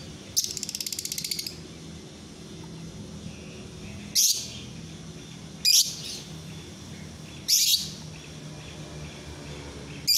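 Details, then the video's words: Lovebird masteran (training song) at midday: an opening second of rapid buzzy chatter, followed by four loud, harsh screeching calls spaced one and a half to two seconds apart, low hum behind. "Masteran lovebird siang hari"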